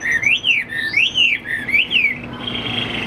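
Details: Caged Chinese hwamei, a tame bird not yet in full condition, singing clear whistled phrases that slide up and down in repeated arcs, several loops over two seconds, then fading into a faint hiss indoors.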